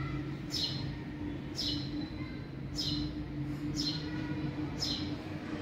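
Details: Young house sparrows of a family living in a garage, giving short high downslurred chirps about once a second over a steady low hum.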